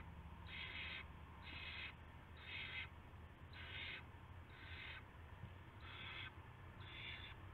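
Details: Owl at its nest before dawn, 5:20 AM on March 9, 2016, as a rat is brought in as prey; harsh, noisy hissing bursts repeat about once a second over a steady low hum.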